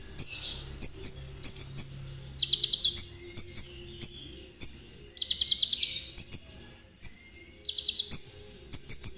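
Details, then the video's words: Fast trotol-style Konin song used as singing therapy and as a lure for ninja sunbirds: high chips delivered in steady bursts, broken by lower rattling trills that recur several times. "Terapi KONIN agar ikut gacor !! Cocok buat pancingan kolibri ninja. suara konin Trotol."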